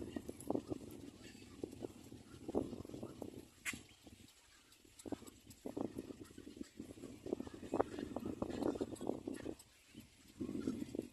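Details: A standing little black cormorant calls at length: harsh rattling croak bursts separated by short pauses, with one sharp click early on.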